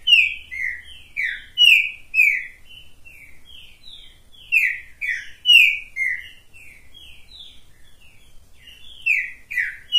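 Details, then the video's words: Hand-perched captive green-winged saltator delivering continuous song: rapid sequences of loud down-slurred whistles in bursts, separated by quieter stretches of shorter notes, repeated through ten seconds. "Trinca ferro top das galáxia cantando na mão!"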